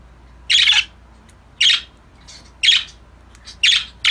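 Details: Budgie calls during a playful group session: harsh, noisy screech-like notes, each about a third of a second, repeated roughly once a second over a quiet background.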